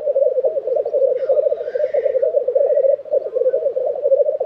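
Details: Black grouse at a lek in Tiveden, Sweden, in April 2023: an unbroken, low bubbling rookoo chorus that pulses rapidly without pause, with a faint hissing sweep rising above it midway.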